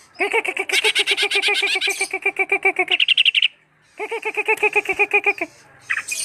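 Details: Greater green leafbird delivering long trills of quick repeated chattering notes, about four per second, with a brighter higher-pitched passage midway, a brief pause, then another run.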